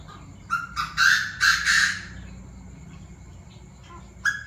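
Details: Chinese francolins, several birds with differing voices, calling raucously at 7 pm: a burst of five harsh, grating notes repeated quickly over about a second and a half, then near silence before one last loud note.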